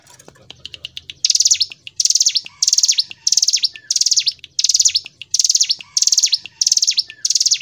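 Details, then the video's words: Hill prinia pouring out a steady gacor ngebren song: about ten repeated phrases of rapid, shrill, rattling notes, each ending in quick descending slurs. The phrases are separated by brief regular gaps, with soft ticks and faint lower notes between them. "Masteran Ciblek Gunung | CIGUN | GACOR NGEBREN • SUARA BURUNG CIGUN"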